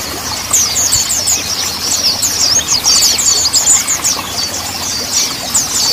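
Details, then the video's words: Mountain white-eye song played to prompt untrained birds to start singing: a dense, continuous high twittering of rapid overlapping chirps and trills, fast and unbroken, over a low background rumble. "Terapi MONTANUS / MONTY SOLUSI Burung BAHAN Segera BUNYI!"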